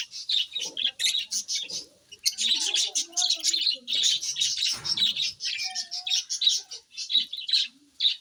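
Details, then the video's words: A group of pet parrots calling: rapid repeated chirps form rhythmic pulses, mixed with a few lower warbled and whistled notes and a brief broadband rustle midway. "My Parrots"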